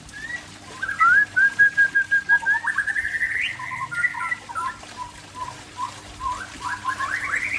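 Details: White-rumped shama of the Aceh type singing: a long varied phrase of clear whistles near the middle range, rapid repeated notes, rising slurs and short trills, with a steady low electrical hum underneath.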